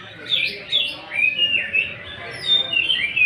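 Greater green leafbird singing a rapid, varied run of high whistles and chattering phrases, sliding up and down, with no pause over three seconds.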